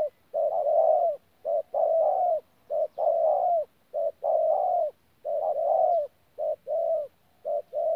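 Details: Spotted dove, a local decoy bird, cooing in the 'pha gù' style, recorded in Tu Mơ Rông on 14 January 2019: low hollow coos in short-then-long pairs, repeated steadily, with short gaps between phrases.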